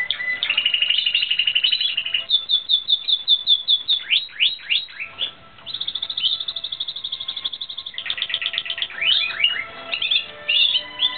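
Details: Timbrado Espanhol canary, filmed in 2016 training, sings a varied sequence: a low buzzy roll, a string of clipped high notes, upward-sweeping whistles, then fast metallic trills.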